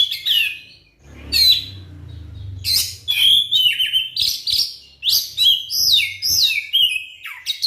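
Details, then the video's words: Oriental magpie-robin song used as a lure to make silent magpie-robins start singing: bright, varied whistled and chattering phrases, high and sliding, after a short opening burst and a pause with a low rumble. "suara pancingan kacer terbukti ampuh bikin kacer macet langsung on gacor bukor"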